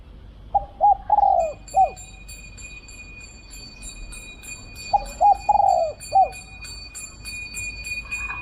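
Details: Spotted dove in Thailand calling during decoy luring: two phrases of short coos, a drawn-out rolling coo and a falling end note, with a steady high ringing tone and faint jingling in the background.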